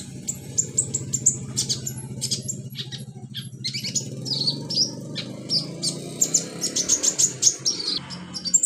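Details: Wild olive-backed sunbird singing in its natural habitat: thin, high chirps and short twittering notes in quick bursts, some sharp and piercing, over a steady low hum throughout.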